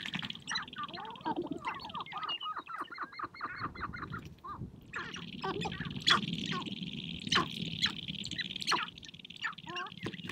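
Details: Sharp-tailed grouse at a spring prairie hilltop display ground, dancing and fighting to win females: a busy stretch of cackling, rising and falling calls, then sharper clucks and snaps over a constant high buzzing background.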